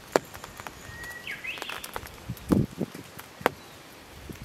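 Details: A Japanese bush warbler about 15 m away begins singing: a short steady whistle followed by a quick rising-and-falling flourish, partly masked by footsteps and rustling nearby.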